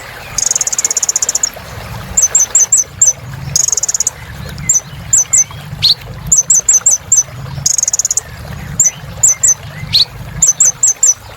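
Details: Energetic little spiderhunter (kolibri ninja) song used to coax quiet birds back into singing: bursts of buzzy high trills, repeated clusters of short upward-flicked notes, and occasional lower rising whistles.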